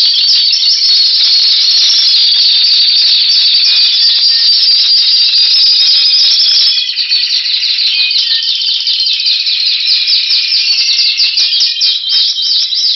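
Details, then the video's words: Timbrado canary power song, February 2012: continuous loud trilling rolls, with faster, more clearly separated repeated notes appearing in the second half. "Power Song Timbrado"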